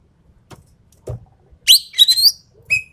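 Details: After a few soft knocks, a Javan pied starling gives a harsh, buzzy rising phrase in full 'tembakan' style, then one short clear whistle.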